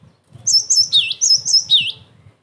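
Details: Cinereous tit song used to bait other tits into replying and as a training recording: two quick series of high piercing notes, each closing with a lower dipping whistle, over faint low rustling.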